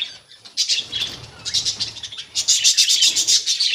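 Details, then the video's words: Budgerigars in a colony setting give quick, bright, scratchy chirps that build into rapid pulsing chatter over a few seconds, above a low hum. "Budgies Parrots colony"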